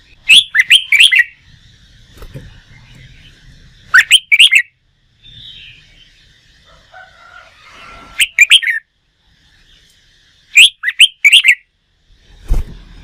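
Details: Red-whiskered bulbul newly taken from the wild and trained for singing contests repeats short, bright warbled phrases four times, a few seconds apart, over faint low rumbling and clatter.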